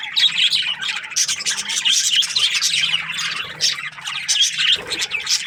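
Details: A flock of budgerigar breeding pairs in an aviary keeps up lively warbling chatter, with high squeaky chirps layered over constant scratchy twittering.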